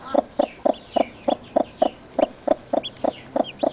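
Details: Chickens, mother with newly hatched chicks: loud, evenly spaced low clucks about four per second, overlaid by faint high descending peeps from the chicks.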